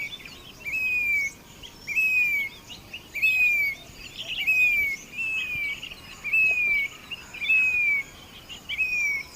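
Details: Grey-bellied cuckoo, or Indian plaintive cuckoo, repeating a plaintive, downward-slurred whistle eight times at nearly even intervals of just over a second, while other small birds chirp faintly at higher pitch.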